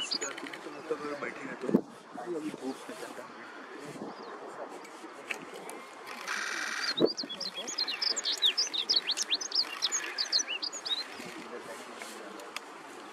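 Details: A male Himalayan Rubythroat singing in summer at Sinthan top, Kashmir, gives a quick, varied run of high, sharp whistled notes over several seconds, with people talking quietly nearby.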